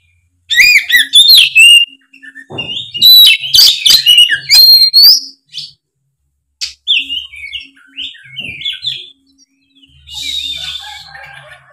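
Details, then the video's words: Oriental magpie-robin singing hard in the 'gacor ngeplong' style, played as a lure to prompt young speckled or off-form birds to reply: rapid bursts of rich whistles and harsh chatters, a pause, then softer varied warbling phrases and a buzzy ending. "suara kacer gacor ngeplong pancingan kacer drop trotol seketika nyaut gacor"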